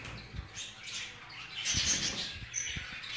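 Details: Group-kept budgerigars, a male showing jealousy toward a female: short burst of raspy chatter with a couple of thin high whistles and soft tapping knocks underneath.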